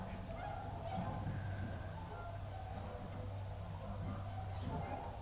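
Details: Tundra swans swimming in a pond by viewing stand 3 at Aylmer Wildlife Management Area give soft, mellow hooting calls, several overlapping, over a steady low rumble of wind or distant engine noise.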